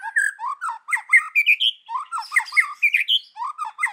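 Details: White-rumped shama giving forest-voice song up close: fast varied whistles climbing step by step in pitch, then dropping low and climbing again, with a rough edge to some notes.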